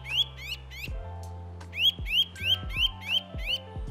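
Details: Nuthatch in a UK garden gives loud, ringing whistled notes, about three per second, in short bright runs, over soft background music.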